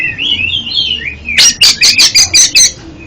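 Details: Oriental magpie-robin singing, played as therapy for a stuttering caged bird: a wavering whistled phrase followed by six loud, evenly spaced harsh chattering notes.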